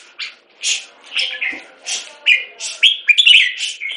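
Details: A molting red-whiskered bulbul sings a quick run of bright, liquid whistled notes, several short phrases rising and falling over four seconds, with no other sounds.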